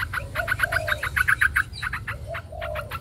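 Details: Chinese hwamei with white plumage singing competitively and spreading its wings: a fast, steady rattle of clicking notes with slightly brighter accents, and low dove cooing in the background.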